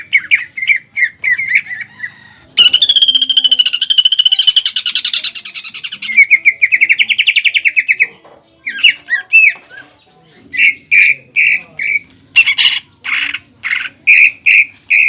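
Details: Greater green leafbird song for training contest birds, filled with pelatuk bawang imitations; harsh repeated notes, a long dense rattling trill, then loud evenly spaced rasping notes about every half second.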